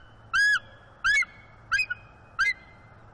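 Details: Female bald eagle on a morning branch beside her mate, giving mating vocals to invite mating; the male replies with his own. Short, bright piping notes with strong overtones, some bending downward, repeated roughly every 0.7 seconds, over faint low background hum.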